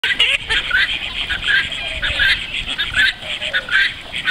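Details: Children laughing, giggling and chattering in bursts, with splashy background noise and no animal sound.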